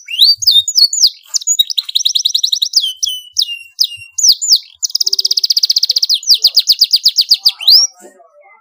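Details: Loud canary song for teaching young domestic canaries: varied slurred whistles and short trills, then a dense buzzy roll and a fast rhythmic trill before falling quiet.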